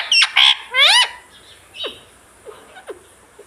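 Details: Pet parrot talking, saying "mummy" and "papa": three loud, harsh, harmonic voice-like syllables within the first second, the last one rising, then a few faint short chirps and squeaks over quiet background hiss.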